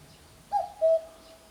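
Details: Common cuckoo calling from a backyard at 5 am on 28 May 2017: a clear two-note hooting "cuck-oo", the second note slightly lower and longer than the first.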